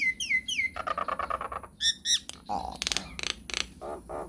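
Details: Nias hill myna singing a lively lure song: three looping downslurred whistles, a fast run of harsher repeated notes, a high sharp whistle, then scattered rasping bursts.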